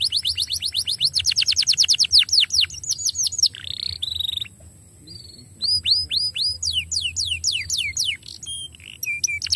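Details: Canary song aimed at stimulating canaries to sing: a long fast train of repeated downward slurs, a brief buzzy roll, a short quiet gap, then more spaced slurred notes and chirps.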